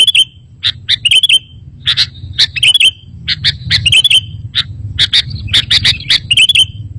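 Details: Sooty-headed bulbul chirping on a lure recording for trapping and for prompting reluctant caged kutilang to reply: crisp repeated tweets and quick twittered phrases in irregular bursts, with a low rumbling hum underneath.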